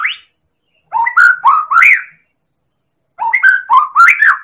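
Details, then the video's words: Indonesian white-rumped shama of the Medan type, a constant singer whose song is played to set other birds singing: a short rising note, then two near-identical rich whistled phrases of four or five up-slurred notes, with silence between. "Pancingan Burung Murai Batu Medan Super Gacor"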